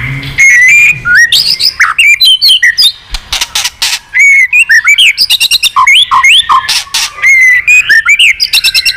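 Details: White-rumped shama, an old forest bird singing many voices while wagging its tail, pours out a long varied song of whistles, sharp clicks and fast chattering runs with few pauses.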